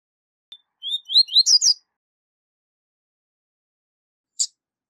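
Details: Double-collared seedeater singing its prized tui tui zel zel style, a tutoring song for young birds. It gives a brief tick, then clear slurred whistles that rise into a dense, buzzy, chattering burst. A lone sharp click comes later, against silence.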